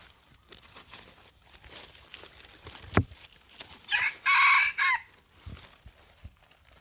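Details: From Indrapuri in Aceh, a red junglefowl crows once, a brief, strident phrase about a second long midway through, amid soft clicks, a sharp knock and a faint steady high hum.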